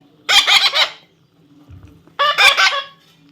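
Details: Baby parrot giving two harsh, raspy squawks about two seconds apart, each a burst of rapid grating notes, over a faint low hum.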